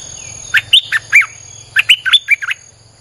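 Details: Streak-eared bulbul song used to lure wild birds: two quick bursts of four or five bright, bubbly notes that rise and drop in pitch, over a low hum and a faint high ringing.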